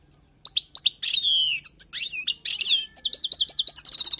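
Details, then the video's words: Song of a wild European goldfinch, for tutoring: a few sharp chips, a long slurred whistle, jumbled twitters, then a rhythmic repeated note series ending in a buzzy trill. "تغريد حسون خلوي للتعليم"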